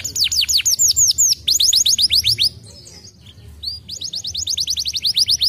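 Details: Canary stimulating song: fast series of bright, high downward-sweeping whistled notes repeated about four per second, a brief pause near the middle, then a steady rapid trill of similar notes resuming.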